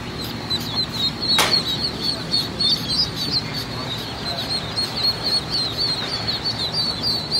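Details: Group of Rouen ducklings at a hatchery: a dense, overlapping chorus of shrill high peeps continuing without pause, plus one sharp clatter or flutter early on against constant low background noise.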